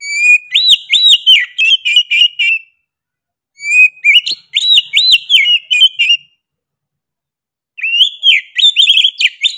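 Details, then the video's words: Kacer, the Oriental magpie-robin, singing hard in three loud bursts of song: each opens with arched whistled notes and runs into fast repeated chirps, with short silent gaps between bursts. "KACER GACOR NGOTOT PEDES SUARA NYA GA DA AMPOON"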